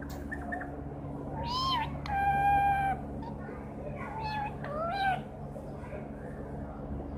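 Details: Green parrot that sings, whistles and speaks, giving short clear whistled notes near one pitch, one longer steady whistle with rich overtones, then quick rising and falling whistles, over a constant low indoor hum.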